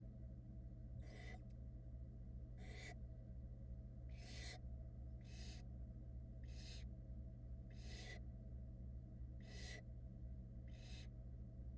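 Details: Barn owl chicks in a Florida nest cam, 2022, reacting as their wet mother tries to dry off: eight harsh, breathy hissing screeches, each under half a second, spaced irregularly over a steady low electrical hum.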